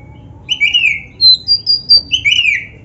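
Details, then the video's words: Oriental magpie-robin (black-breasted) in a varied, energetic training-recording song: two drawn-out, slightly buzzy whistles with thin high notes between them, against a quiet background. "SUARA BURUNG KACER MASTERAN GACOR ‼️Full Variasi isian MEWAH"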